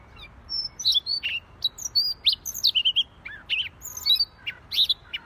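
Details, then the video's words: Continuous Siberian rubythroat song: a lively stream of varied, high, piercing notes, whistles and short buzzy slurs, delivered at irregular spacing, roughly one or two per second, with little pause. "Siberian Rubythroat Gacor Si Leher Merah"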